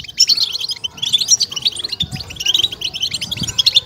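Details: European goldfinch batbata, a track for stimulation and excitement of captive goldfinches: lively high twittering with clear whistled notes rising and falling in quick runs, plus two soft low thuds.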